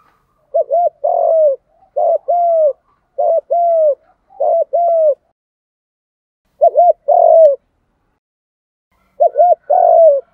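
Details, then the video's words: Spotted doves, males and females, cooing Đồng-style to stimulate newly caught birds; regular phrases of a quick double note plus a longer falling coo, four phrases in a row, then two more after silent gaps. "cu gáy giọng Đồng thúc gù cực căng giúp bổi đang chớm nổi gáy theo sung mãn cả ngày"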